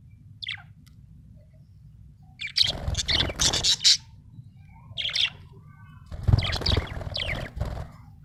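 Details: A happy budgerigar chatters in three bursts of scratchy, buzzy chirps separated by pauses, with a faint thin note at the start and a low rumbling hum throughout.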